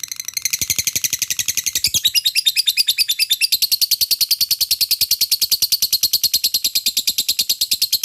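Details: Long gacor ngekek of a lovebird, played to prompt fighter birds to join in: a fast, steady, harsh chattering trill of high repeated pulses that keeps going without a break for eight seconds.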